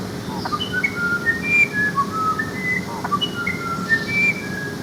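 Musician Wren giving a run of pure, flute-like whistles at shifting pitches, each note brief and spaced, like instruments tuning up; low background hum throughout.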